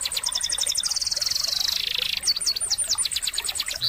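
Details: Sogon bird song for tutoring birds that will not sing: rapid high, clicking chirp runs merging into a dense sliding warble, then a fresh burst of looping, twisting notes, all high-pitched and continuous.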